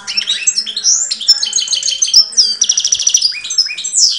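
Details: Goldfinch hybrid raised by hand, filmed in 2013 singing close to the face. A rapid, bright warble mixes sweet high whistles with a rasping buzzy burst midway and quick chattering notes.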